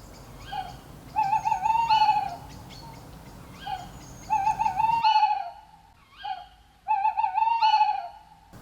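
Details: Tawny owl at night in the UK: hollow, mellow hoots, short opening notes then long quavering, wavering hoos, repeated in phrases a few seconds apart over faint background hiss.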